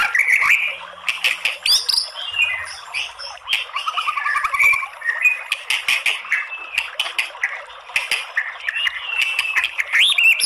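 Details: Female white-rumped shama voice meant to provoke rival shamas into song: harsh, squawky chattering and rattling trills packed with clicks and short buzzy phrases, interspersed with brief whistled notes, loud and nearly unbroken throughout.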